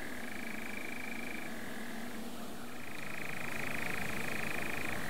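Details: European nightjar on a Norfolk heath, giving a long, even mechanical churr that pauses briefly and then resumes, with heavy low rumbling noise underneath.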